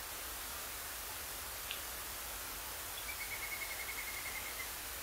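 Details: Little Grebe nocturnal migration call, a night call that differs from daytime calls and is often surprising: a quick, even series of about a dozen thin high notes over a second and a half, after a single sharp tick, against steady hiss.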